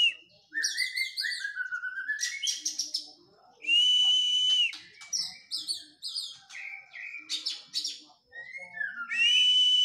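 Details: Oriental magpie-robin, in physical training following moulting, pours out sweet slurred whistles, drawn-out level notes and quick trilled fragments in a varied, almost continuous stream.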